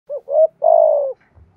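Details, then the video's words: Spotted dove cooing in the thổ thúc gù style, used to call and provoke wild doves: two short hollow coos, then one long, even, slightly falling coo, all low and mellow, with a faint thump after. "cu gay giong tho thuc gu gay goi boi hay nhat, chim cu gáy kích bổi"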